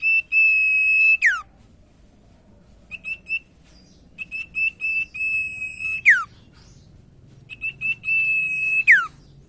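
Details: Common iora song played as a lure for non-singing ioras: three long, even, high whistles, each ending in a steep falling note, separated by bursts of short stuttering whistled notes.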